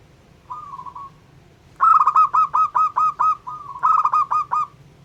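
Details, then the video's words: Zebra dove of a local strain singing to rouse other doves: a soft trill, then a long loud sequence of punchy, ringing coos with a brief purr midway, steady low hum behind. "Perkutut LOKAL Jago Mancing EMOSI Semua Jenis Burung Perkutut"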